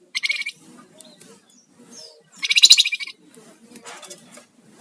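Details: Sunda warbler in full lively song with rattling and whistling styles, meant as a lure and master for songbirds; two loud, rapid, buzzy rattles, one at the start and one in the middle, with softer chatter and faint whistles between.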